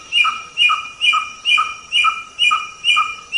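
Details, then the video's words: White-rumped shama tutor recording: a steady series of identical two-toned whistles, each a higher note dropping to a lower one, repeated roughly every half second, with a faint continuous high hum in the background. "Masteran Suara Samyong"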